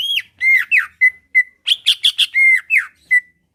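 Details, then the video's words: Caged greater green leafbird from Pasuruan, Indonesia, singing to draw a reply and a fight: short loud whistled phrases, several falling slurs and buzzy bursts, delivered in quick succession over about three seconds. "Cucak ijo lain liat dan dengar kicauannya bakal nyaut+gacor+tarung"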